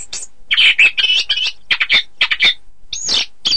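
Orange-headed thrush singing a rapid, varied run of bright whistles and scratchy chirps, mostly high-pitched, in quick bursts with short pauses.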